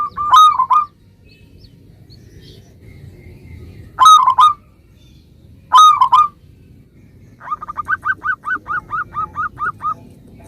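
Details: Local zebra dove singing to make others reply: three separate loud rolled coo phrases with long pauses between, ending in a rhythmic train of about a dozen short, quick coos.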